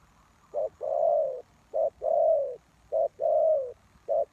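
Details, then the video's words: Loud, close spotted dove, a lure bird for wild doves. It repeats its call about once a second: a short note followed by a long, slightly falling hoarse coo, three full phrases and the start of a fourth. "Suara Tekukur Pikat"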